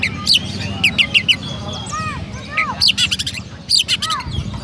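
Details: Indonesian caged Oriental magpie-robin from Pemalang, Central Java, singing 'rasa gereja' style: bright chirps alternating with short arched whistles and a sustained thin tone, phrases separated by brief pauses, low hum underneath.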